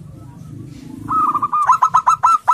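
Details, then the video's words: Local male zebra dove courting a female, calling aggressively to stir other doves: after a second of low rumble, a fast staccato run of bright, clipped coos on one pitch, about eight notes in a quick, even rhythm. "SUARA PERKUTUT LOKAL AGRESIF BIKIN PERKUTUT LAIN EMOSI"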